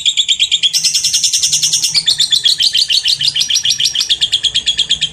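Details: Lovebird delivering a long ngekek ngetik as a pancingan: unbroken, very fast high-pitched chattering trill of many quick repeated notes lasting the whole five seconds, slightly shifting in pitch midway.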